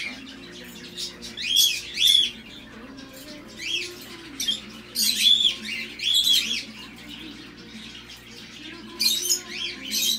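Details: Tame sun conures bred in Thailand, kept at a bird shop in Mizunami, Japan, utter piercing, raspy high screeches in paired bursts about every second or two, separated by brief quiet gaps, with faint background hum.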